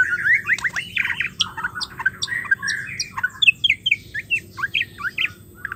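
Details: Female white-rumped shama calling, used to wake silent males into song. Rapid chatter of short chips and clipped notes, dense at first, then spaced into quick pairs and single high ticks.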